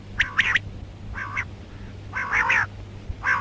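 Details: Female rain quail calling alongside karkari: rough, buzzy double notes and longer nasal squawks in uneven bursts, with a constant low hum in the background.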